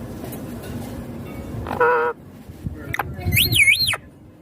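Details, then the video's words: Pet green ringneck parrot said to be talking: a brief buzzy harmonic note, a click, then a loud wavy whistled call rising and dipping twice. "My Ringneck Green Parrot Talking Natural Sounds"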